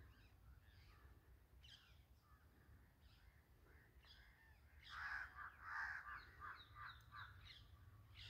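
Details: Birds feeding in a jungle: faint scattered calls for several seconds, then from the fifth second a loud run of rough, grating notes in quick succession, fading toward the end.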